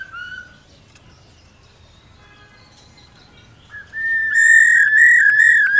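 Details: A female black-throated laughingthrush calls repeatedly to excite males. Faint whistles give way near the end to a loud, sustained, slightly wavering whistle.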